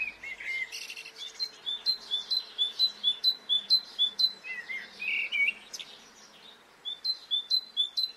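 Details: Bird song on a spring morning in Brittany: a sharp high note repeated roughly twice per second in two bursts separated by a short pause, with a few warbled notes from another bird.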